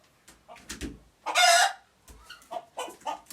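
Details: Rooster or hen alert noises from Uganda: soft stuttering clucks around a single loud, strained squawk, with a few low thumps.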